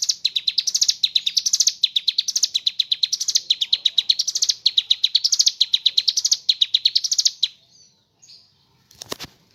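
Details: Ciblek gunung, the mountain leaf warbler, in sustained 'ngebren' song with 'kapas tembak' fill: rapid high twittering notes in repeated undulating phrases for about seven seconds, then a pause with faint chirps and a sharp click.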